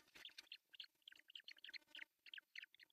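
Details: Osprey at an artificial nest in Pohjois Satakunta, Finland, on June 10, 2024, as the male brings a big fish for breakfast; a nest camera picks up quick bursts of high, sharp chirping whistles, several each second.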